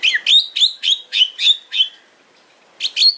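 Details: Loud kretekan fighting song of a white-rumped shama, with sharp, rival-provoking fill notes; a fast run of about seven high, clipped, ringing notes, a short pause, then two more.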